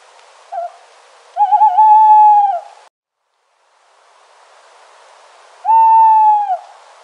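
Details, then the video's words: An owl in nature gives two long, steady, mid-pitched hoots about four seconds apart; the first begins with a short wavering note, over a soft background hiss. "Owl Sound - Sounds Of An Owl In Nature"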